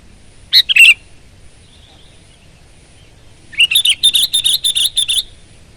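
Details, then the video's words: Sooty-headed bulbul in strong gacor voice: one bubbly phrase, a pause, then a rapid run of about ten sharp, evenly spaced chirping notes lasting nearly two seconds. "Kutilang Gacor Garuda Suara Full Power"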